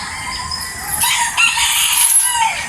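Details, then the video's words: Neighbours' rooster crowing in the morning, one of several heard daily: a drawn-out, harmonic crow swelling then trailing off over about a second and a half, heard at some distance over steady background hiss. "pakinggan natin ang pagtilaok ng mga manok"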